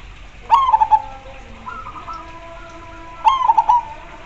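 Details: Zebra dove delivers two cooing phrases about three seconds apart, each a short opening note plus three quick burry pulses. Fainter, lower coos from other doves sound between them, with quiet background hiss.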